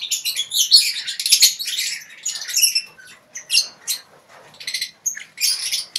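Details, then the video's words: Lovebirds kept together in a colony cage, ngekek chattering: dense, high-pitched squeaky twitter at first, thinning into scattered sharp chirps and short buzzy bursts. "Lovebird ngekek di kandang koloni"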